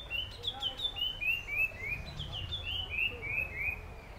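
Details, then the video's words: In the morning, a Puff-throated babbler gives a quick run of clear, high whistled notes, each a short slur, about three a second, over a low background rumble. "Puff-throated Babbler: My Morning Alarm"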